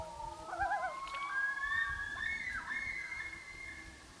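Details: Loons on Gavia Lake in 2011: a brief quavering phrase followed by long, overlapping whistled notes that rise and fall, fading toward the end.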